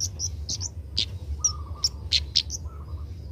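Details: Young Oriental magpie-robin learning its song: about ten quick, high chirps and sharp ticks within three seconds, with a softer mid-pitched note between, against a faint steady low hum.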